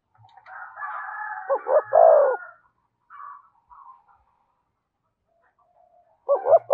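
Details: A spotted dove in low 'giọng thổ' voice with 'thúc' and 'kèm' phrasing gives one double-noted, drawn-out coo, partly overlaid by a higher buzzy tone. Faint scattered notes follow, and another phrase begins at the end.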